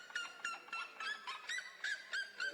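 A Red-legged Seriema gives a loud, rapid series of harsh, yelping notes, about three per second, each slightly rising, with a faint hum from the room underneath.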